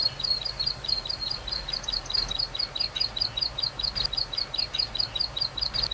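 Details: Vigorous song of a wild plain prinia: a fast, steady train of sharp, high-pitched chips repeated without pause, with soft environmental noise beneath.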